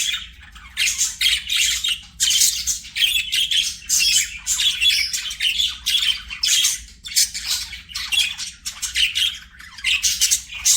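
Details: Budgies singing as they play: an almost continuous run of shrill chirps, squawks and chattering notes, pulsing in loud bursts roughly every second.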